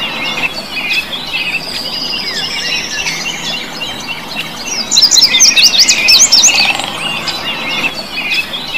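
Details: A Bluebird, a small, noisy whistling songbird, gives a bright, high chattering song of fast twittering and trilled phrases that grows busier and louder midway, with several overlapping birds.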